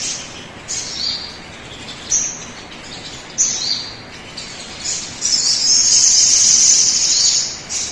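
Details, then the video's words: A sogon bird singing, played to get other birds singing quickly; separate high squeaky notes roughly every second or so, then a long, shrill continuous phrase from about five seconds on, with background hiss. "pancingan suara burung sogon agar cepat bunyi"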